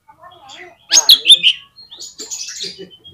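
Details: Oriental magpie-robin giving a short lure-song phrase to coax other magpie-robins into song: a burst of harsh, squeaky and whistled notes, then softer high chattering.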